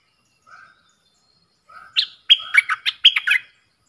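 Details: Caged bulbul singing a duel against wild birds, recorded 03/10/2564: a faint short whistle, then a soft note rising into a burst of quick, varied chirpy notes, bright and jumbled, over near silence.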